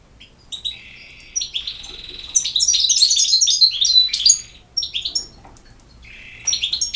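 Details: After a few introductory chirps, a European goldfinch breaks into a sustained buzzy trill, then a rich run of sparkling, fast twitters and whistled slurs before falling quiet.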